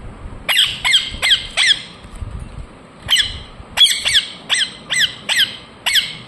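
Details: Indian ringneck parakeet uttering shrill, falling chirps in short clusters, a run of four, a pause, then a steady series of single calls.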